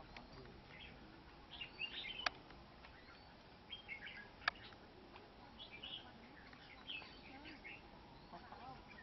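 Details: Red-whiskered bulbul at a fighting trap with a wild-caught bird, two males present: scattered chirpy, bright notes, irregular and fairly quiet, with two sharp clicks and a faint background hiss.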